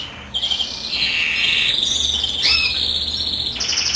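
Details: Drawn-out nasal wheeze from a European greenfinch singing while the female incubates, held for about three seconds with a slight upward inflection.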